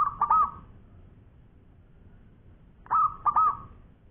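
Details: Local zebra dove singing actively with a long voice: two soft cooing phrases about three seconds apart, each a short stuttered run of rolling coos on one mid pitch, over quiet low background hum.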